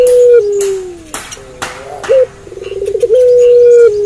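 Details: Night-time cooing from a puter pelung dove. Long level coos step down in pitch, followed by a short upturned note and a rapid rolling trill, then a held coo. Sharp clicks and knocks sound in between.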